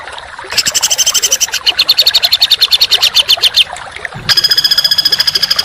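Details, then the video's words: Masteran recording of a songbird for training contest birds, dense, harsh 'tembakan' delivery: a three-second rattling burst of rapid, rasping high notes, a brief gap, then a tighter, higher trill of very fast even pulses. "Masteran Burung Kicau Tembakan Rapat dan Kasar"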